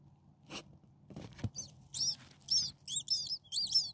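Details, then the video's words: Six hungry common starling nestlings, a few days old, in a nest, giving thin high squeaky begging notes in quick bursts that grow more frequent toward the end, after a few soft knocks and rustles. "Hungry Six Starling baby birds day 1 Nest 2"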